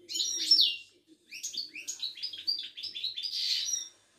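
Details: Moroccan Widani goldfinch (meknine) singing in a cage at a Casablanca market. A sharp descending note is followed by a fast run of chirpy, tinkling twitters and ends in a buzzy flourish.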